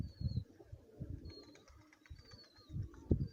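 A Lotan pigeon gives deep, throaty coos in short rumbling bursts, about four across three seconds, with faint thin high whistles from other birds behind.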